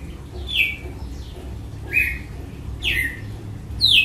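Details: Açoite song of a red-cowled cardinal: four bright, downslurred whistled notes at uneven intervals, the last one higher and sharper, with a faint low rumble beneath.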